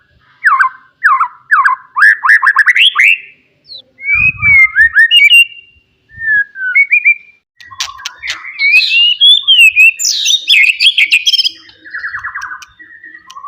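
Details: Forest white-rumped shama singing loudly to rile rivals: series of rising whistled upslurs, short chirps, then a dense cascade of bright whistles and a buzzy trill, with a brief low thud.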